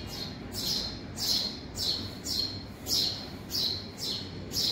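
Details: Several young house sparrows chirp inside a garage: sharp, raspy, high notes that fall slightly, delivered in a regular series about every 0.6 seconds over steady low background noise.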